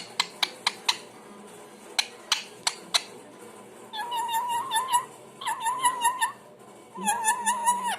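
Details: Pet parrot in a small room: a few sharp clicks at first, then sustained wavering, nasal warbles in three drawn-out bouts separated by short gaps.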